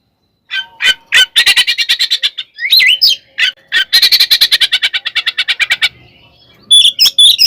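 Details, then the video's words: Oriental magpie-robin fighting song, ngekek and tarung style, to provoke rivals: long runs of rapid harsh chattering notes, broken by a twisting whistle, then more chatter and high whistles at the end. "SUARA BURUNG kacer gacor NGEPLONG NGEKEK TARUNG ini paling AMPUH buat PANCINGAN KACER agar EMOSI"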